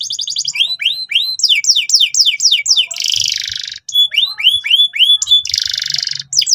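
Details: Canary in full, forceful gacor song, recorded to help young canaries learn the ngeriwik sound. Bright trills alternate with series of upward-swooping whistles and two harsh, buzzy rolled bursts, all closely packed and continuous.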